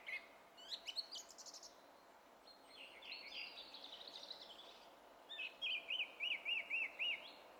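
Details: Song thrush, 27 April 2016: high scratchy notes and a soft chattering run, then a bright arched whistle repeated five times in rapid, even succession.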